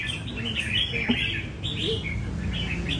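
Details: Red-whiskered bulbul at a bird café during taming and perch-hopping training; bright warbled phrases of quick rising and falling notes, one after another, over a steady low hum and faint background chatter.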